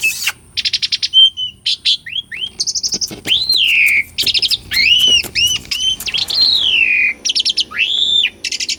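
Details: Asian pied starling singing energetically, a real recording used as a training lure for silent birds; fast rattling notes, then long arched and descending whistles, some loud and drawn out, with chatter between.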